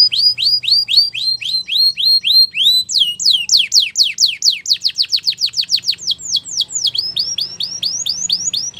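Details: Belgian canary, a female, singing in the morning with a long series of evenly repeated arched high notes, then a quicker cascade of steep downward slurs, ending in rising chirps; faint low hum beneath.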